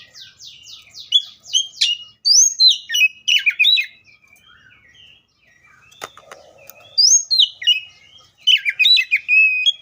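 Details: Oriental magpie-robin starting with rapid repeated chirps, moving into rich whistled phrases, then a brief harsh rasping note before more varied whistles.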